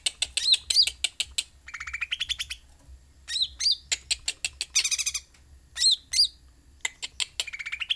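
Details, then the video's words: Sooty-headed bulbul in active song, delivering quick ticking notes, sharp rising-falling chips and fast buzzing trills in a dense, almost continuous sequence. "Cucak Ranting Gacor"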